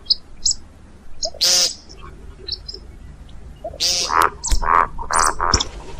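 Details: See-see partridge, a recording for hunting: a few sharp high squeals, then a quick series of ringing, chuckling notes that drop slightly toward the end.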